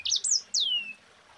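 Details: A brief fragment of Mozambique canary song in the 'ngerol rapat' rolling style: two quick high chirps followed by a long downward-sliding whistle.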